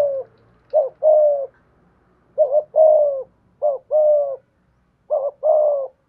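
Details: Decoy spotted dove calling in its 'giọng thổ' voice: four repeated two-part phrases, each a quick wavering coo then a sustained, gently falling coo, about every 1.3 seconds. A faint low hum is in the background.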